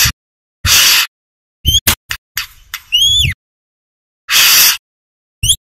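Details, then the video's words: Brown-throated sunbird, known locally as kolibri kelapa or kolibri manggar, singing actively in a recording made for training other birds. A few sharp, high chirps and upswept whistled notes alternate with harsh broadband bursts and long silent gaps. "Suara Asli Burung Kolibri Kelapa Gacor | Masteran Kolibri MANGGAR"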